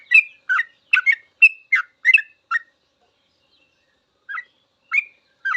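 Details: Sooty-headed bulbul's long ropel song, recorded as a master for training trucukan. A rapid burst of seven bright, gurgling notes is followed by over a second of silence, then three spaced notes resume.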